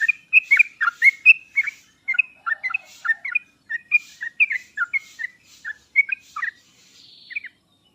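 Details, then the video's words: Lengthy sooty-headed bulbul song phrase, used to stimulate reluctant singers: a continuous stream of bubbly, slurred whistles rising and dipping, tapering to a faint buzzy ending. "pancingan dan masteran trucuk paling cepat di sambar trucuk malas/susah bunyi langsung nyaut"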